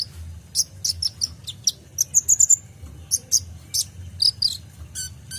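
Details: Kolibri ninja full song for tutoring caged songbirds: bursts of piercing high chirps and quick twittering runs, some clustered in fast triplets, then a buzzy trill at the close, with low background hum.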